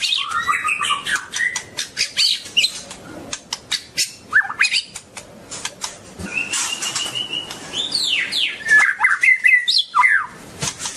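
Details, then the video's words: Continuous song from a long-tailed white-rumped shama: bright slurred whistles, steep upward and downward sweeps and rapid chips, with short pauses between bursts and frequent sharp clicks in the background. "Kicau murai batu ekor panjang"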